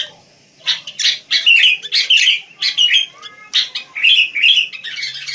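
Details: Wild sooty-headed bulbul producing a run of short bubbly chirped phrases, about eight bursts in five seconds, each a quick warbled note cluster.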